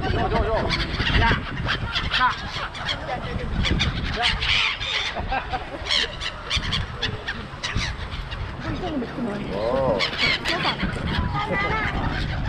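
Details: Seagull flock at Songdo, Busan, a well-known local crowd of birds: harsh, bending squeals and honking calls overlap from many gulls, with one clear wavering cry near the end, over steady crowd murmur and traffic-like rumble.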